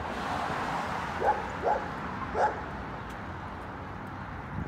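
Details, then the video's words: Crows calling in Oshawa, Ontario, Canada, on March 17, 2022: three short, harsh, slightly rising caws spaced roughly half a second apart, over a steady hiss of distant traffic. "Crows Calling"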